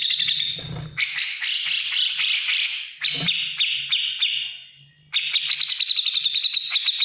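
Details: Energetic ngetik ngipik song of a grey-cheeked bulbul, meant for training cage birds: harsh chattering phrases, a softening run of clipped notes, then rapid, evenly spaced ticks, with a short low knock near the start.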